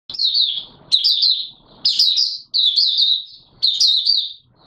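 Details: White-eye, known locally as Mata Puteh Raja, singing while not yet in full condition, 9 May 2022: high, sweet warbled phrases of quick slurred notes, about a second long, repeated roughly once a second with short pauses.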